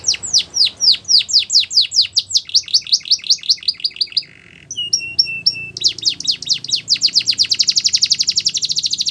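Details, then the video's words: Belgian canary training song for young birds: a series of falling swept notes, a low steady tone, a few clipped double notes, then a long fast high trill. "The Best Canary Training Song | Belgian Canary Singing"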